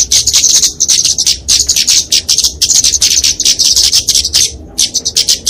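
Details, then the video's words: Kemade flowerpecker (burung cabai, genus Dicaeum) in fighting song for tutoring and luring small birds: very high, sharp chittering notes delivered in fast stuttering runs, nearly unbroken, with a few short gaps. "Kicauan Kemade Tarung Untuk Masteran&Pikatan Burung Kecil"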